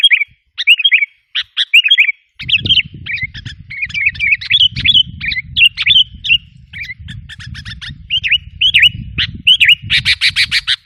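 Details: Sooty-headed bulbul calls used as a lure for wild bulbuls: busy chattering, bubbly warbles and clipped chirps, ending in a harsh buzzy rattle. A steady low rumble runs beneath most of it.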